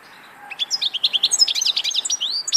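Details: After a quiet start, a European goldfinch launches into a lively stream of high twittering notes, sharp chirps and short upward whistles that runs to the end.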